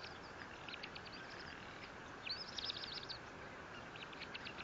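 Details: At the Fort St. Vrain nest on 18 April 2024, a bald eagle gives a high, rapid chittering series that swells louder midway, then trails into more spaced thin notes, against continuous background noise.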